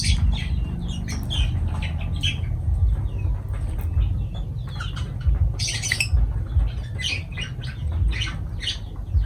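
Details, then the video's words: Lovebirds give shrill, scratchy chattering squawks in irregular bursts over a steady low hum. "Love birds voice sound"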